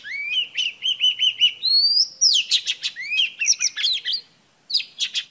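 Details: Female oriental magpie-robin song meant to excite males: a run of even, repeated whistled notes opens into rising slurs, then quick chattering phrases, a brief pause, and a final burst.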